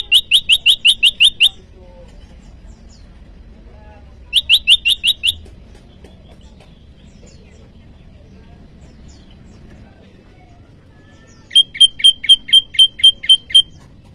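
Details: Bar-winged prinia, lure and training audio for caged birds, calling out to rivals: three separate bursts of rapid, sharp, high-pitched notes, each of about six to eight notes, divided by long quiet gaps.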